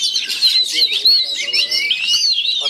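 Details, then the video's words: Caged Oriental magpie-robins in Chinese-style cages, set to fight through the cage bars against a rival, pour out dense, rapid, overlapping whistled and scratchy phrases with sliding high notes; faint human voices murmur underneath. "chọi chòe than thông lồng Trung Quốc"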